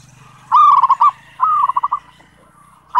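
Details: Zebra dove in energetic lure song for daily training: two short phrases, each a smooth coo breaking into a fast stuttering trill, separated by a pause over a steady low hum.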